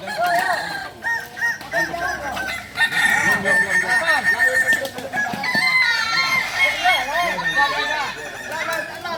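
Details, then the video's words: Kukuak Balenggek roosters, the native singing fowl of Solok, practising for crowing performance; many crows overlap in a continuous chorus of quick, warbling syllables and long held notes, mixed with background talking. "Latihan prestasi Ayam kukuak balenggek ayam penyanyi asli Solok"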